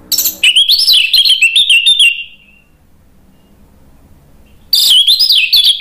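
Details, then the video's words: Orange-headed thrush (anis merah) song for provoking a bird to sing: a two-second run of fast varied warbled whistles, a silent stretch, then the energetic wavering phrase starts again. "PANCINGAN ANIS MERAH biar EMOSI jadi NYAUT BUNYI GACOR NGEPLONG"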